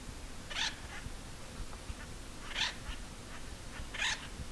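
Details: Acorn Woodpeckers on the Arizona Trail along the Mogollon Rim give three harsh, nasal, cat-like calls, about two seconds apart, over a low rumble of wind.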